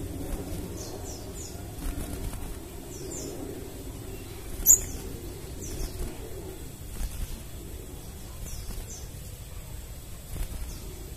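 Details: Crimson sunbird used as a lure to make wild or newly caught birds answer, giving thin, high, descending notes in short pairs, spaced every second or two, with one sharp squeak midway over low background rumble.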